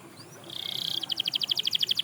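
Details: Short burst of canary song said to get others singing: a faint buzzy whistle leading into a quick series of bright pulsed notes repeated roughly ten per second, over soft background noise.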